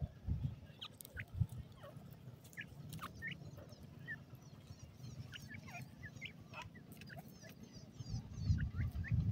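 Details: Several golden ringneck pheasant chicks peeping continuously, short high rising and falling notes overlapping in a busy chatter, with bursts of low rumbling and thumping at the start and end.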